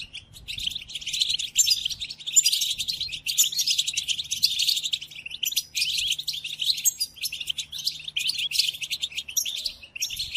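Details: European goldfinch song, used to train captive goldfinches while they moult: long run of rapid, metallic twittering and trills, building after a quieter first second, with a faint low hum in the background.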